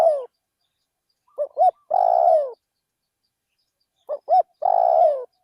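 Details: Spotted dove calling as a decoy in a rice field. Two full song phrases, each made of two clipped hoots followed by a long, buzzy coo that sinks in pitch at the end, with still pauses between.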